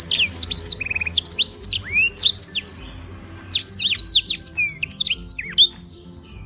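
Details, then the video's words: Tutor black-throated canary from Beng, Gianyar, Bali: dense bursts of high whistled sweeps and sharp chips, a short buzzy trill, a brief lull near the middle, then renewed rapid phrases; faint low background drone. "Blackthroat Gacor buat masteran"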